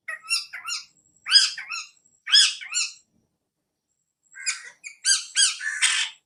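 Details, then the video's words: Parrot captured on an iPhone, producing clustered bursts of rasping, screechy calls. Several rapid calls run together, then a pause of about a second, then a final run of quicker, harsher squawks. Quiet background. "Parrot videos Tota ka video"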